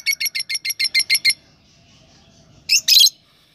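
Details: Fischer's lovebird during the breeding season, kept for breeding in Parbhani: a rapid run of about nine sharp, high squeaky chirps, then a pause and two harsher screeching bursts.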